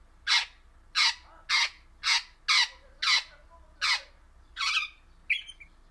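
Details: Harsh, rasping squawks from an orange-coloured pet crimson rosella, about nine loud calls repeated roughly every half second, with a brief whistled note closing the series.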